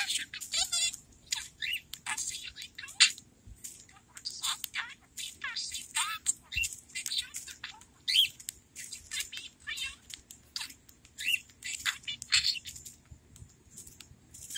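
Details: A male budgerigar chatters to his toy bell in a fast, scratchy warble of high chirps, clicks and burbling notes.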